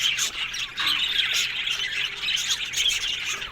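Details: Budgerigar colony in an aviary, many birds calling at once: a busy stream of short raspy squawks and thin chirps blending into a steady high chatter.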